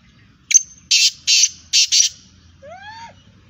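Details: Female black francolin calling: a sharp metallic note followed by four harsh, grating bursts in quick succession, then a faint rising-falling whistled slur; otherwise quiet.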